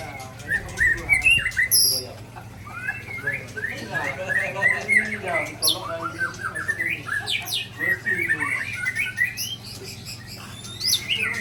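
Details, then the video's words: A white-rumped shama from Ujong Pancu delivering a long varied song of rare fill-in material: fast chattering runs, upslurred whistles and scratchy notes, with a steady background hum. "Murai Ujong Pancu SMBF Tumpahkan Isian Langka"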